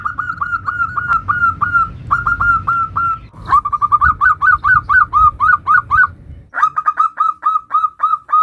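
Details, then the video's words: Nutut variation of a local zebra dove's song, used to lure other zebra doves into singing: long sequences of short whistled notes in shifting bursts, some rising and falling, about four per second, over steady low background noise. "Macam macam Suara NUTUT variasi perkutut lokal gacor - Ampuh untuk Pancingan semua jenis perkutut"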